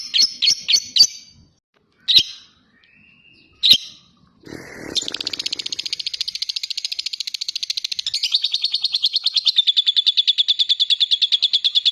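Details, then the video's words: Lovebird with a few sharp separate chirps, then a brief noisy rustle, breaking into a long, clear ngekek: a rapid, high, continuous chattering trill lasting about seven seconds. "Lovebird Latah Ngekek Panjang dan Jernih"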